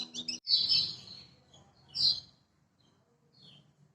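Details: Lemon-bellied white-eye from Lombok, master recording to lure silent birds: two louder descending high chirps about one and a half seconds apart, then a faint short note, over low background hum.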